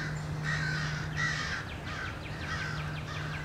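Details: Several American crows harass a male bald eagle at its nest, giving rough, drawn-out caws in quick succession over a low electrical hum.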